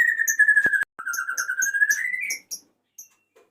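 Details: Male white-rumped shama calling a female: a long, steady whistle broken by a sharp click, then a second whistle that slowly rises in pitch, followed by a few short notes and silence.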